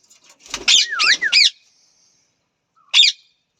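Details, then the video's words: Pet parrot uttering a burst of three harsh squawks laced with a wavering whistle, then a pause and one more short squawk. "parrot voice,natural parrot sounds,talking parrot,parrot natural sound,parrot natural"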